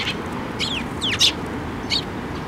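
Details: Sparrows coming to be fed at a shrine bridge, 5 May 2024. A few quick descending chirps and one louder squeaky note appear against a background of constant outdoor noise.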